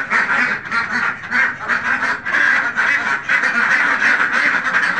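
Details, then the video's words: Flock of Khaki Campbell ducks on a farm making a constant, loud, raspy quacking chorus, the calls tumbling over each other without pause. "khaki campbell ducks farming"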